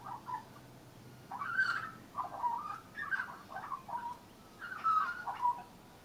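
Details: A young Australian magpie with leucism sings on a railing: rich, fluting carols rising and falling in bursts separated by short gaps, some clear whistled slides among the warbles.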